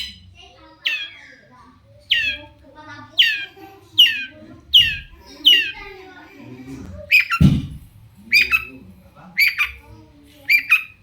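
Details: Long-tailed shrike lure sound for provoking other shrikes to respond: a run of descending rasping notes, then louder harsh squawks, with a brief low voice-like sound in the middle.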